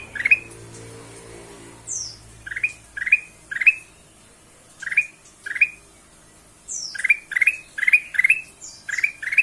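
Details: Lure song of the ruby-throated bulbul (kutilang emas) for prompting other birds: many sharp rising chirps in irregular runs, sometimes five in quick succession, interspersed with thin high falling whistles.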